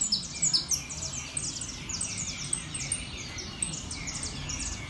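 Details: Saffron finch in a singing competition giving rapid, high, clipped chirps that slide down in pitch, loudest at the start and then steady, against low-pitched room noise.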